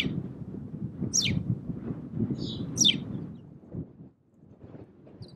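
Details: A Spanish sparrow on Fuerteventura, Canary Islands, in February 2017 gives two sharp, downward-sweeping chirps about two seconds apart, with a soft short note between, over a steady low rumble of wind.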